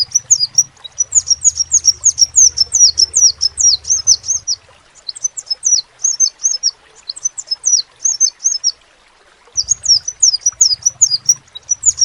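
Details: Sepah raja (crimson sunbird) in an energetic song. Long runs of rapid, high-pitched, downslurred chirps are broken by a few short pauses. A low droning noise underneath part of the recording.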